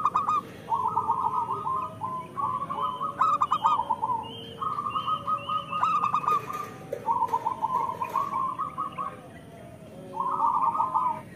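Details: Local zebra dove singing vigorously, a recording used to prompt lazy local doves to sing and as a tutor for birds in moult: trilled cooing phrases, stuttered notes running into a rolling coo, repeated several times with short pauses.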